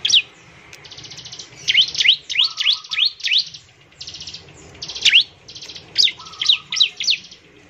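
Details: Bar-winged prinia sound for provoking other birds to sing: loud V-shaped swooping chirps in small clusters, mixed with buzzy trilled bursts and a faint low whistle.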